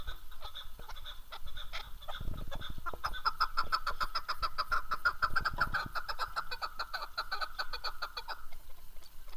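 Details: Keklik, the chukar partridge, in Tajikistan's Darvoz area, 2019, giving a long rhythmic series of hard clucking notes that swell and then fade, over persistent low rumbling background noise.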